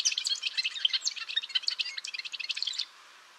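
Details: Golden-rumped euphonia song: a rapid, dense jumble of high twittering and chattering notes with a few clear whistled tones, running nonstop for nearly three seconds, then stopping abruptly.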